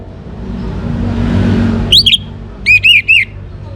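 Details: Young orange-headed thrush in full song, used to spur other birds into singing: a low traffic rumble fills the opening, then two short bursts of looping whistles, a quick pair followed by three rounded, rising-falling notes.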